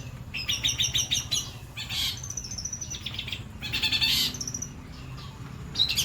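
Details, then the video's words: Long-tailed shrike, white-breasted, singing scattered chattering phrases with trilled notes and a few sharp harsh bursts between quieter stretches. "CENDET DADA PUTIH MATERI MEWAH"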